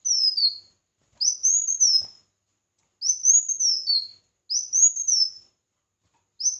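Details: Red-whiskered bulbul singing in a contest, repeating a melodious whistled phrase that rises and falls, about once every one and a half seconds, with quiet gaps between.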